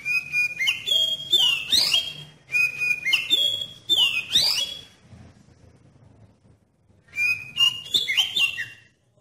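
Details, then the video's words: Oriental magpie-robin singing a lure song to draw other magpie-robins into song: a level whistle runs into swooping slurs, repeated four times about a second apart, then a pause before a final, more varied whistled phrase. "Suara Pancingan Kacer Paling Ampuh Bikin Kacer Lain Cepat ON dan Nggacor"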